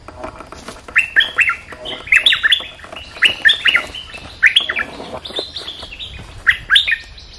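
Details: Bulbul singing in a bold, vigorous style: bubbly, whistled phrases with quick rising and falling notes, delivered in short bursts about every second, with slight background hiss.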